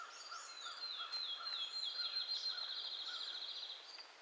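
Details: A wild Cedar waxwing in Michigan in June 2011 gives a continuous, high, thin trill lasting about three seconds. Faint calls from other birds sit beneath it.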